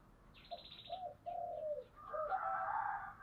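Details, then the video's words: Spotted dove in thổ voice song: a few low hollow coos and a drawn coo, then rough broadband noise. A high buzzy trill sounds near the start. "cu gáy giọng thổ"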